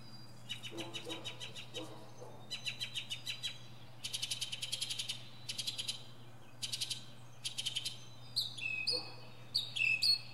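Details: Northern mockingbird giving a varied concert from a pine treetop: dry rattling trills in separate bursts, then sharp squeaky chirps toward the end, over a steady low hum.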